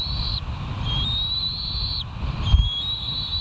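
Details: Bald eagles at the West End nest, 13 July 2023, live camera: long, thin, high whistles held nearly level, three drawn-out notes in a row, with low steady rumble in the background.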